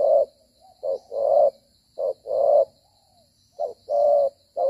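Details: Spotted dove decoy used in dove trapping, cooing while moving and fighting: low hoarse coos around 500–700, short notes alternating with longer drawn ones, in irregular phrases, with a faint steady high hum behind.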